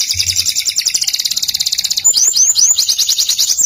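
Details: Canary singing as a master tutor bird, opening with a long rapid buzzy trill, then breaking into a series of quick upslurred whistled notes repeated several times a second.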